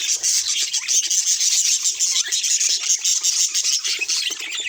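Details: Budgerigars chattering steadily, an unbroken mix of rasping, high-pitched warbling notes and quick chirps of even loudness throughout.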